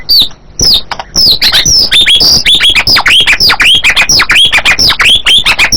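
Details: Loud white-rumped shama song of high, sharply descending whistled notes repeated almost twice a second, each one brief and bright, with a few short chips at the start.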